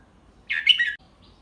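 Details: Red-whiskered bulbul, a teacher bird singing the double-three (เบิ้ล3) style slowly and clearly so young birds can copy it. A single short warbled phrase rises and falls in a quick, bright burst in a quiet room.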